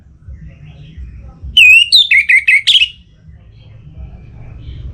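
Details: Orange-headed thrush singing in breeding condition to call a rival, Singaraja, northern Bali: one rapid burst of clear whistled notes, starting with a rising slur then a string of quick descending chirps, over faint low hum.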